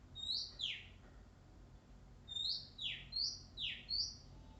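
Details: Oriental magpie-robin in the wild, shy but persistent, repeating a two-part phrase of a bright rising whistle dropping into a rasping downslur, given in a quick irregular series after a short pause.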